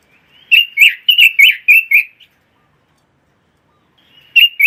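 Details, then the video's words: Red-billed leiothrix giving a burst of six emphatic, clear whistled notes, about four per second, then a pause of two seconds before two more notes begin. "Kicau Burung ROBIN"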